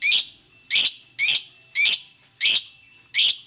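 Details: Lovebird, a bird kept to be stimulated into singing, giving six harsh high chirps spaced about half a second apart, each a short bright burst with a steady faint tone beneath.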